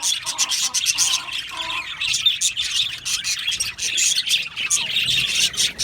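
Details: Happy budgies in an aviary colony chattering continuously: many overlapping bright chirps, clicks and warbled squeaks forming a steady high-pitched wall of sound.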